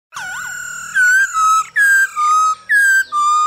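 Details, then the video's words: Male black-throated laughingthrush singing, stirred by a female's calls, a recording used to train cage birds to sing: loud, clear whistled notes, a looping wavering phrase, then steady slurred whistles repeated about every half second. "Khướu trống hót múa cực đỉnh kèm tiếng mái ro kích quá hay"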